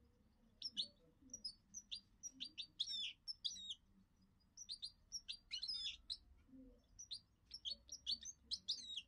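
A goldfinch mule sings a fast, bright twittering song of high chirps and buzzy trills.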